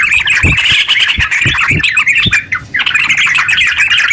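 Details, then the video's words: Long ngeropel song from a yellow-vented bulbul, intended to stimulate other bulbuls; fast, bubbling chatter broken by a short pause, with soft low thumps in the background. "TERUCk gacor ropel panjang buat pancingan terucu biar bunyi"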